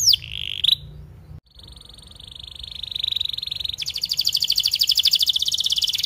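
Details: Canary singing as a tutor recording for young canaries and ones that have stopped singing; a brief high note and short gap, then a long steady whistled tone that breaks into a rapid, rising buzzy trill.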